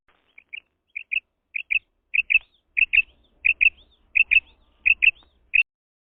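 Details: Female quail (madi batair) giving a steady series of bright, high double-note chirps, about ten pairs spaced evenly under a second apart, with soft low thumps beneath some notes and otherwise silent surroundings.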